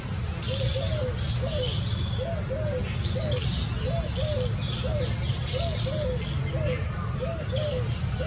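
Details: A family of five Indian scops owls at water in hot summer weather give soft, low arched hoots in quick pairs, about two notes a second, as a crow harasses them; steady low rumble and thin high chirping.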